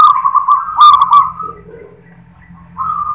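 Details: Local zebra dove singing its "klar ketek kuk" song, a vibrating rolling coo held steady for about a second and a half, then a quiet gap and the start of another phrase.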